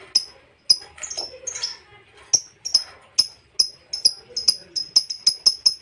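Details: Lovebird calling to provoke rivals: a few sharp chirps and scratchy notes, then chirps that repeat faster and faster toward the end.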